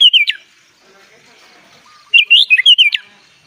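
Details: Sooty-headed bulbul singing in the 'gacor full isian' style: two bursts of quick, warbled whistled phrases that rise and fall, separated by about two seconds of near silence.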